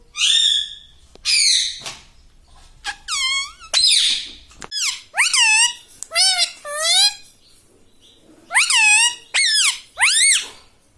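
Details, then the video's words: Talking parrot kept indoors repeats "mummy" and "papa" in a string of shrill, nasal, voice-like syllables, many with arched pitch contours, clustered in quick runs separated by short silences. "talking mummy || papa bolta Mithu || bolta Mithu"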